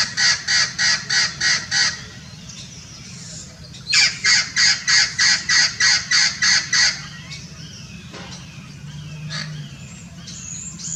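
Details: At Irvine Regional Park, California, in winter 2018, a hybrid Blue-fronted x Red-crowned Amazon parrot utters two bursts of rasping squawks, about seven then ten, a pause between, followed by softer scattered calls and background hum.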